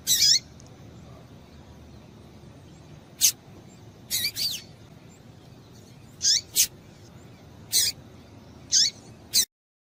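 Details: Female double-collared seedeater calls, used to stimulate males to sing: about seven short, sharp, high notes, each sweeping steeply downward, given singly or in quick pairs at irregular gaps over a faint steady hiss.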